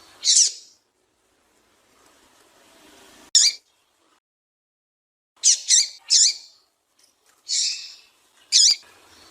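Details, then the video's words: Calls of a female yellow-bellied seedeater, meant to excite males kept for singing tournaments: brief high chirps, singly and in doubled bursts, spaced by gaps of one to two seconds, with a faint low hum in between. "Melhor Piado de Fêmea de Papa capim para foguear e Esquentar Papacapim"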